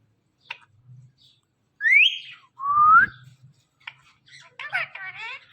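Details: Talkative pet parrot: a single click, then two loud whistled notes, the first rising steeply and the second sliding upward, followed by quick raspy, voice-like chattering with a low background hum.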